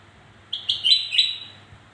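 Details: Black-crested bulbul song intended to prompt birds that are slow to sing: a compact phrase of four bright, slurred whistles, the middle notes loudest, lasting about one second over a quiet low hum.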